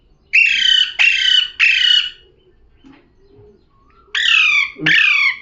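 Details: Three quick harsh screeches from a talking parrot, then a pause with faint soft noises, then two more loud, buzzy, downward-sliding squawks.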